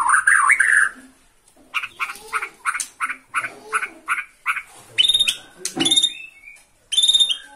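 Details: Bornean white-rumped shama singing excitedly from one perch after seeing a rival: a run of harsh, buzzy repeated notes, then bright whistled upslurs and sharp chattering phrases separated by short pauses.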